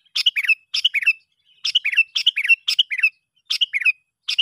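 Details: Sooty-headed bulbul lure call for attracting other bulbuls, loud and clear: short bubbly phrases of a sharp note and a liquid warble, repeated in quick groups with brief gaps between them.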